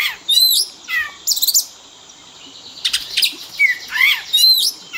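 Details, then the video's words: Oriental magpie-robin isian, a fill-in song for training pet birds: sparse phrases of looping whistles and sharp buzzy notes, separated by pauses of about a second. "Pancingan burung Kacer; full isian istimewa"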